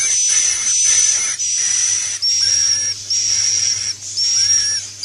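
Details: Swiftlet roosting lure call, 'inap plus' style, the sound swiftlets like: high buzzy whistled phrases of about a second each, repeated with brief gaps and slight pitch drops at their ends, over a low hum.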